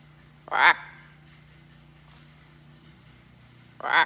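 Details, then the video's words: Harsh, grating squawks from a pet blue-and-gold macaw on a farm during a chat with its owner, two brief bursts about three seconds apart, with low hum between. "Talking With My Friend The Macaw Parrot"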